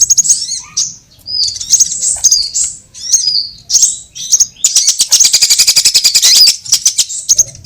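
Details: Sunbird lure call used for trapping birds: high, thin chirps and short whistled slurs in scattered bursts, then a fast, steady trill of sharp ticking notes from the fifth second onward.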